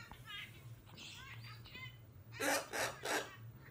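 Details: Little female cockatoo kept as a pet, soft throaty chatter at first, then three loud, rough screeches close together near the end.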